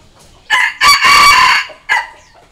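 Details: Red junglefowl decoy crow for calling and challenging wild junglefowl: a short harsh opening note, a quick second burst, then a long loud strained syllable of about three-quarters of a second, and a final short note after a pause.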